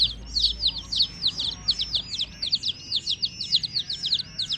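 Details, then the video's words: Chicks peeping nonstop: sharp, high chirps sliding downward, densely packed and pulsing in rapid irregular bursts. "Hen Baby Chicks, Witty MURGI Baby "Chicks Chirping" Sound"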